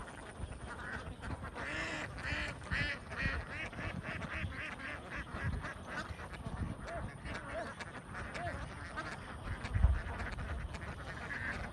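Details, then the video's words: Huge flock of young farm ducks in Vietnam giving a continuous mass of overlapping quacks, louder near the start and fading to a busy murmur, with a brief loud knock near the end. "Duck huge flock of young millionaires"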